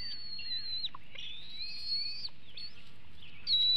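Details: Bald eagle eaglet in a Hanover nest in 2021, days before fledging and showing food aggression, filmed by a live nest camera; thin high whistled notes, some held level and some sliding, over a steady low background hiss.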